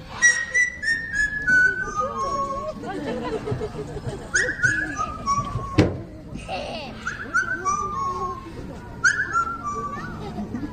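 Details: Parrot named Fernando at a bird show at African Lion Safari, Hamilton, Canada, whistling one of his original tunes of clear, stepped notes that fall in pitch, with people talking nearby.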